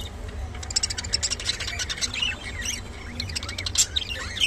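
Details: Rainbow budgerigars, kept birds, in a dense, busy chatter of high chirps, squawks and short scratchy notes overlapping throughout, with a low background rumble.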